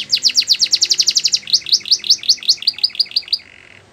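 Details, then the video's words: Belgian canary singing a training song for young canaries: a rapid trill of about a dozen sharp, downward-swept high chirps, then a slower run of rising whistled sweeps, ending in a brief flat buzzy note against a quiet background. "The Best Canary Training Song | Belgian Canary Singing"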